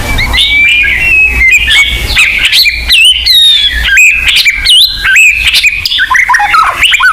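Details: High, rich white-rumped shama song used as a home lure: ringing whistles, sharp upward sweeps and quick chattering notes in rapid succession, very bright throughout.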